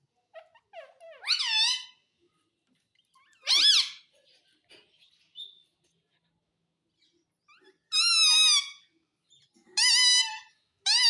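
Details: Indian ringneck parakeet speaking indoors, said to say mummy and papa: separate bursts of nasal, whistled speech-like syllables with swooping tones, spaced a couple of seconds apart, in a quiet room.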